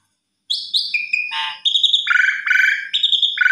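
An Asian pied starling sings a varied run of loud whistles, chatters and harsh churring notes, quickly switching between high clear tones and lower rasping phrases.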